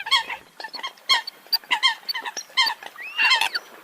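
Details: Crowded chorus of Eurasian coots giving clipped, nasal, horn-like notes in quick irregular bursts, roughly eighty per minute, ending with a squealing upward slur.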